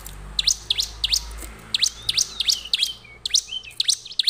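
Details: . Bar-winged prinia song played as a lure to get other prinias singing: sharp, high chirps repeated in quick bursts of two or three, with short pauses between groups and a low background hum.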